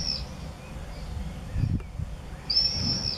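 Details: Common swifts visiting the entrance holes of observation nest boxes on a house in Beek-Ubbergen, Netherlands, 8 June 2014; a short shrill scream opens the clip, then a longer high, buzzy trilled scream after a pause, over low rumbling background.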